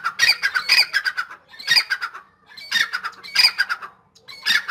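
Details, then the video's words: Grey francolin, known locally as dakhni teetar, calling in full spirit: loud, harsh, strident bursts of rapid squawking notes in phrases of about a second, repeated with short pauses. "teetar/tetar ki awaz dakhni teetar /gray francolin full masti mein"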